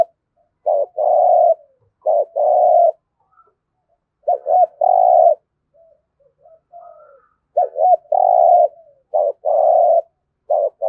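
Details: Spotted dove, Đồng Nai province, Vietnam, competition cooing in local voice: a quick run of about six loud phrases, short broken notes leading into steady mid-pitched coos, with little pause between them.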